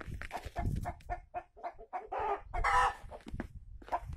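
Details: Giant Brahma chicken, a very large domestic breed, with a rooster and hen strutting together; a run of short, throaty clucks broken by two longer, harsher squawks near the middle, over low rumbling background noise.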